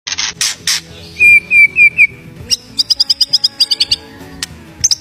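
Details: Wild white-rumped shama singing actively: a few loud clear whistled notes near mid pitch, then a fast run of sharp, high, clicking chips repeated about five per second, ending in short high notes.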